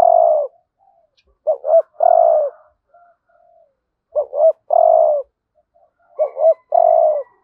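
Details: Lure-call spotted dove giving the hạp bổi style urging coo: a repeated phrase of two quick looping notes followed by a long, low, buzzy coo, heard three times about every two seconds.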